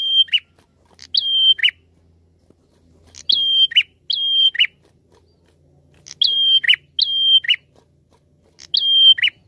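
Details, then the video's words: Prinia lure call: sharp, high notes in repeated pairs or triplets, each a brief flat whistle ending in a quick downward flick, groups spaced a couple of seconds apart against near silence. "Suara Pikat Prenjak Gacor"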